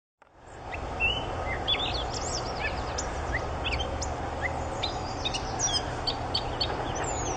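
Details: Catbird song: varied, scattered high whistles, chips and squeaky slurred notes in quick irregular succession over steady low background hiss and hum.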